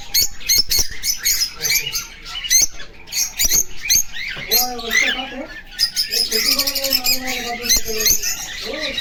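Cockatiel chattering with bright chirps and squeaky whistles, mixed with harmonic warbling notes.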